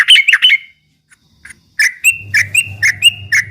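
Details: Yellow-vented bulbul singing ropel-style to stir up rivals: a quick burst of bright chirps, a near-silent gap with a few faint notes, then a run of evenly spaced sharp chirps over a low droning hum.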